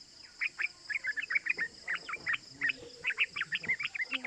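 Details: Sooty-headed bulbul (trucukan) lure song in quick 'cuk cuk' chirps that come in uneven clusters, somewhat fainter, over a steady high-pitched hum and faint low background sounds.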